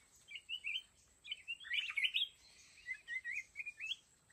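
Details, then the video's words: Mountain red-whiskered bulbul acting as a trap decoy, its whistled, slurred phrases fairly faint over a hissy, noisy background with a steady high tone. "Chào mào núi bẫy đấu"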